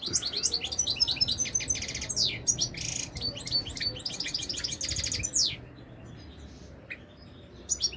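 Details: European goldfinch from Morocco pouring out a lively twittering song of fast chirps, trills and descending slurred notes for about five seconds, then falling mostly quiet with a few scattered chips.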